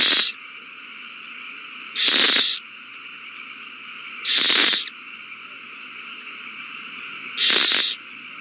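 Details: Owls at their nest in a prey frenzy over a delivered mouse, 21 March 2020: four harsh, hissing screeches at uneven gaps of two to three seconds, short faint twittering notes in between, over constant hum.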